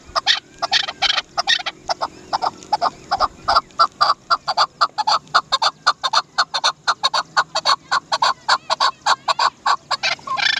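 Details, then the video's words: A chukar partridge (Alectoris chukar) gives a fast run of harsh, clucking 'chuk' notes, about four a second, building into a steady rattling series. "Amazing sound of Dasi chakor"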